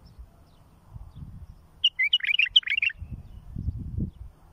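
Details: Tutoring song of a bulbul for raising young: a crisp, rapid run of bright chirped and whistled notes about a second long, with soft low rumbling before and after.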